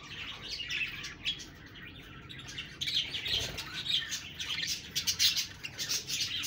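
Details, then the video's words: Budgies chattering in a dense, continuous warble of high chirps that grows busier and louder in the second half. "Budgies Birds talking sound Birds chirping sounds"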